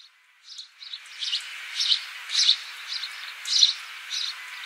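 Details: House sparrow in Australia, recorded 26 December 2015: short, bright chirps in loose bursts, some stacked close together, others spaced up to a second apart, over a steady background hiss.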